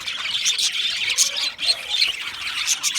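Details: Budgies twittering and squawking together, an unbroken mass of high chirps with a few brighter whistled peaks standing out.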